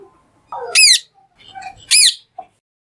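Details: Green parrot calling: two loud harsh squawks with stacked, arching tones about a second apart, each preceded by a lower rough note, plus a few soft short chirps between.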